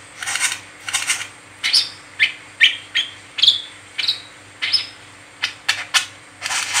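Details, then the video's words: Brown-throated sunbird, known locally as kolibri kelapa, chattering in the 'ngeriwik teler' style as a lure for training wiceh; steady sequence of piercing high chirps and short buzzy notes, about two per second. "Burung Kolibri Kelapa Ngeriwik Teler Cocok Buat Pancingan Wiceh Gacor"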